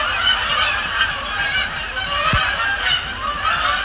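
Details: Night flock of Canada geese at Sapsucker Woods Pond, Cornell Lab of Ornithology, arriving and landing; thick layered honking from numerous birds without pause, a single low knock partway through.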